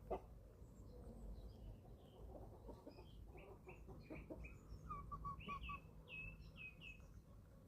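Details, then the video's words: Young chickens, eleven weeks old, feeding on a small German farm: many high, short peeps and chirps overlapping throughout, with a brief series of lower clucks near the middle and a steady low rumble beneath. "11 Week Old Chicks Feeding Time – 28 Minutes of Relaxing Farm Sounds"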